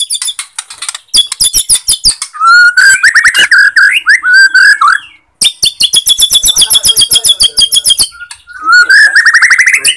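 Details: White-rumped shama from Borneo in full song, a lure for shamas that are unaggressive or out of breeding mood. Long bursts of rapid clicking notes alternate with loud, warbling whistled runs and a rising whistle.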